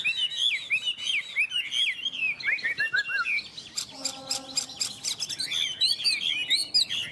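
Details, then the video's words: Contest singing by two Chinese hwamei without owners: dense, fluty warbling phrases with quick upward and downward slurs, a brief lower steady tone midway, then the bright warbling resumes. "Họa mi hót đấu"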